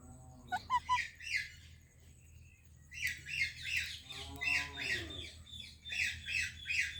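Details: Indian parrot greeting a Pakistani parrot: a few short clipped chirps, then runs of rapid grating squawks, about three each second, broken by a lower, voiced, speech-like phrase with stacked tones.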